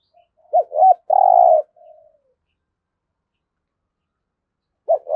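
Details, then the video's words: Spotted dove decoy in daily training, one 'thúc gù' phrase of two short looping low notes and a long steady coo, a faint trailing note, silence, then the start of another phrase. "Tiếng chim cu gáy thúc gù cực đỉnh"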